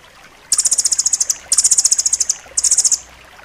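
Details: Rambatan loreng, a nuthatch, singing in a recording made for training pet songbirds: three fast, sharp, high trills of evenly spaced notes, each lasting about a second, with short pauses between.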